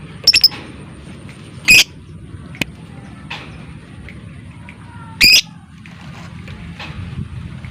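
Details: Lovebird calling in a lure recording for other lovebirds: a few scattered, harsh, high squawks spaced several seconds apart over a low background hum, with faint small chirps between them.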